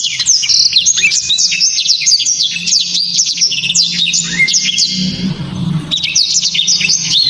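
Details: Black-throated canary, a kept Indonesian songbird known for loud, tight, sharp 'tembakan' song, delivering a continuous torrent of high chirps, trills and upslurred whistles with a brief drop near the end before resuming; faint low hum underneath.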